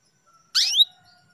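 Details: Female canary calling to stir a male into breeding condition: a single loud chirp sweeping steeply upward into a short buzzy rising trill, lasting about a quarter second, then quiet with a faint steady tone behind.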